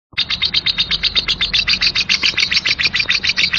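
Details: Lovebird singing a rough ngekek-style chatter: a fast, harsh string of high, buzzy chirps, about three to four a second, steady and unbroken throughout, with a faint low hum beneath.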